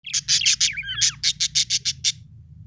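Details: Happy budgerigar chirping: a rapid series of bright, buzzy high chirps with a brief twisting warble in the middle, about a dozen notes in under three seconds over a faint low hum.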